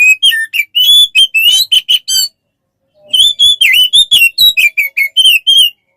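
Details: Oriental magpie-robin song meant for training songbirds, clear whistled notes in quick succession, some rising or dipping, split into two phrases by a short silence.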